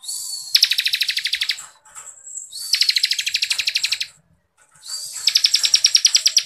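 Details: Bar-winged prinia (ciblek kristal), 'ngebren rapat' style masteran for songbird contests: three long, high, rattling trills of evenly pulsed notes, each led by a thin rising whistle, with a soft high twitter in the pauses.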